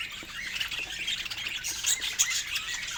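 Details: Happy pet budgies warbling and squawking, rapid wavy chirps sliding up and down in a high register, with a couple of sharper loud squeaks toward the end.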